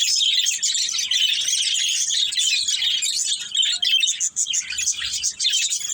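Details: A family of pet budgies at play produces a steady, dense chorus of high twittering and scratchy warbles with hardly a break.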